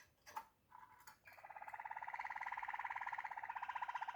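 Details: Waterslager canary begins with a few soft clicks and short notes, then settles into a fast, even rolling trill that swells steadily louder over about three seconds.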